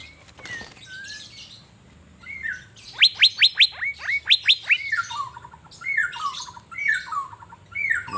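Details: Caged Asian fairy-bluebird singing while sunbathing in Banjarmasin. Soft whistled slurs build to two rapid bursts of crisp, descending notes, then repeated falling whistles every second or so, with a brief rustle at the start.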